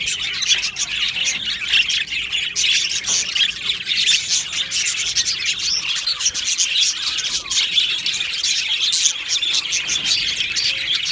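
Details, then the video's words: Aviary full of Australian budgies singing: a continuous, busy chorus of sharp chirps, squeaks and rasping chatter layered from many birds, level and unrelenting for the whole stretch. "Beautiful Happy Budgie singing and chirping sounds"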